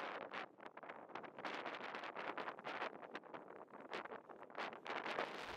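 Only broadband wind noise buffeting the microphone with rustling reeds is heard, with no animal calls.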